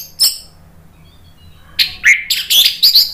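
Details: Caged orange-headed thrush in loud, full song: one short opening note, then a quick, jumbled run of bright, high whistled and buzzy notes.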